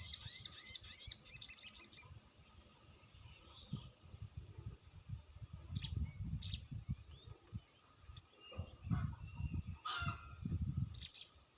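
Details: Lure recording of a crested jay meant to make silent birds answer: a dense rapid chatter of high bright notes at the start, then scattered single sharp high clicks over low background rumble.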